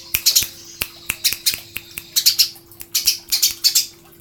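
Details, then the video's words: Eurasian tree sparrow master song for songbird training: uneven high chirps and squeaky notes mixed with sharp clicking taps, over a steady low hum. "masteran burung gereja"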